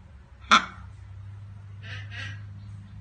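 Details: One-month-old blue-and-yellow macaw (Ara ararauna) chick gives one sharp, abrupt squawk, then two short raspy, hissing calls over a steady low hum.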